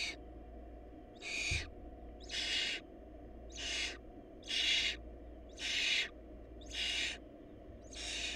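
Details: Hungry barn owl nestlings, food scarce at the nest: a fast run of eight harsh hissing screeches, nearly one per second, a dull knock early on, low hum throughout.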